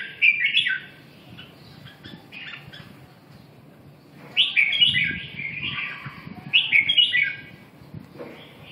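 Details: Red-whiskered bulbul delivering three bursts of warbled, whistled phrases separated by pauses of about three seconds, each burst a lively tumble of rising and falling notes, with low background noise.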